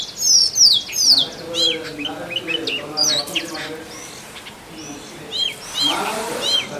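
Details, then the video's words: Forest song of a male Oriental magpie-robin courting a mate: loud downslurred whistles at first, then softer scattered chips and short whistles over a faint lower hum. "Male Oriental Magpie Robin Singing"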